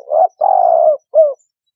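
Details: Single spotted dove phrase used to lure birds into traps: a short note, a long buzzy coo, then a brief downward-curving note, low and clear.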